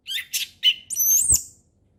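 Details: Wild orange-headed thrush singing relaxed ngeplong-style song in forest: two buzzy high notes, a short whistle, then a long bright whistle rising and wavering before a sharp click at its end.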